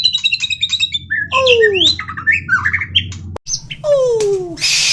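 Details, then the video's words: White-rumped shama (murai batu), a lively singing bird in full 'isian' filler-phrase style. Rich varied whistles, descending slurred notes and quick chattering phrases, with a steady low hum underneath. "Kicauan Terbaik murai batu superman gacor Full Isian"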